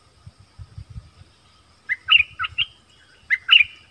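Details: Nok dok taeng decoy dueling wild birds in double song: after soft low knocks, two matching phrases of three or four bright whistled notes, repeated about a second apart.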